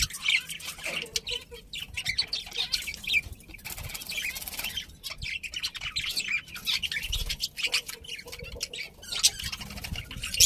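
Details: Several budgies chatter continuously, overlapping raspy chirps and twitters filling the whole stretch with barely a pause, at moderate loudness.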